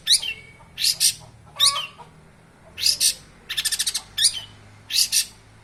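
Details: Cendet, the long-tailed shrike, known as a bird of a thousand languages, giving loud harsh buzzy bursts and scratchy chattering notes, separated by short pauses, with one quick rattled trill of five clicks.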